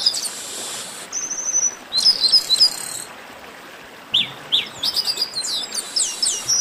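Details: A 'baderna' of chestnut-capped blackbirds: long harsh buzzes and a fast chip trill at first, a pause, then a lively run of high sliding chirps and whistles from many birds.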